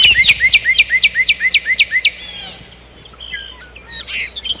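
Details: Warbling common nightingale: a rapid series of about fourteen loud, evenly spaced clicking notes, then a brief quieter twitter, a pause, and a buzzy flourish.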